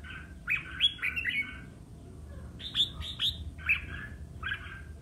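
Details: Red-whiskered bulbul duelling song used to provoke other bulbuls to sing: three loud bursts of bright, slurred, whistled notes separated by short pauses, against a quiet background.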